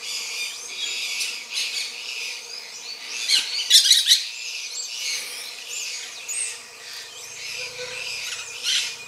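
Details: Grey-breasted parakeets during mating, giving harsh, noisy squawking calls in bursts, some louder clustered screeches around the middle, with quieter chatter between.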